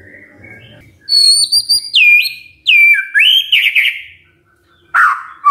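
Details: Magpie-robin morning lure song, meant to make silent birds reply: very high thin whistles, a pure note swooping down then levelling, a buzzy warbled run, and after a short silence a lower slurred note.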